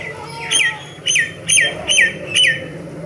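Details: Myna bird song: five strong, twisting whistled notes with a brief loop in each, repeated roughly every half second, with light background noise.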